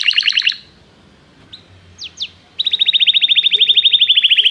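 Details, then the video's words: Canary singing in song training, calling another bird to sing: a short rapid trill, near silence with a few faint chirps, then a long even trill of rapidly repeated notes. "Canário chama o amigo para cantar - treinando canto de canário"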